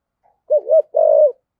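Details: Spotted dove in the 'thổ sấm' voice style, decoy calling: a single low mellow phrase, two quick hooting notes followed by a longer, steady, slightly purring coo that drops at the end.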